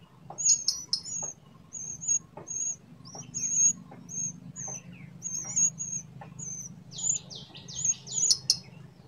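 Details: Wild blood-breasted flowerpecker in mountain habitat giving sharp, very high, thin notes, some buzzy and slurred, repeated roughly every half second. It ends with a quick run of descending ticks over a low steady hum.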